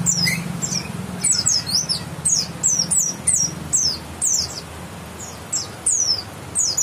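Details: White-eye of the West Java type, grey-white chest with yellow streak, repeating short high-pitched downslurred chirps roughly every half second to second, with a low hum in the background.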